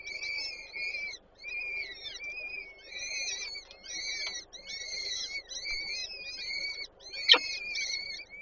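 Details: Falcon chicks (peregrines) fed by the female at the Żerań nest, Warsaw, 8 May 2023, make repeated groups of piercing, wavering squeals. The bouts are split by brief silences, and one sharp click comes near the end.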